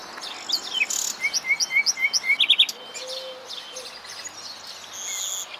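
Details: A common nightingale sings in shady woodland where orchids are in flower, a rapid run of about eight loud, clipped notes that build in volume, then a brief high trill, over a soft outdoor hiss.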